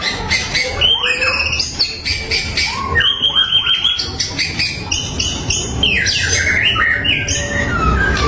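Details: White-rumped shama in full song, used to provoke rivals into answering. A busy, varied medley of quick whistles, rising slurs and sharp high notes, delivered at a rapid, uneven pace over steady low background noise.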